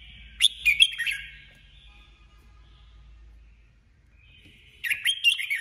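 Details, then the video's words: Red-whiskered bulbul, female decoy bird used for trapping, sings a brisk warbled phrase, pauses several seconds, then starts another, with a steady low hum in the background. "Chào mào hót đấu 2021| chào mào mồi 2021 | chào mào mái"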